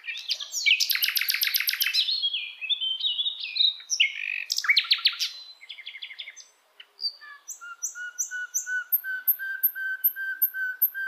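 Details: Song of a hill blue flycatcher in the wild: fast rattling trills and jumbled chirps, then a steady run of clear, evenly spaced whistled notes repeated about twice a second.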